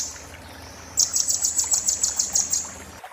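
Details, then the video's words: Oriental white-eye in 'muntah beling' song style, used to tutor magpie-robins and shamas: one high, fast, slightly ragged trill of sharp notes lasting about two seconds over a faint low hum. "master konin muntah beling"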